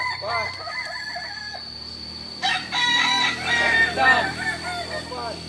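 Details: Kukuak Balenggek roosters, native ornamental chickens of Solok, West Sumatra, crowing at a practice event. Faint stepped crowing first, then a louder burst of layered, chopped crow syllables after two and a half seconds, with a low hum beneath.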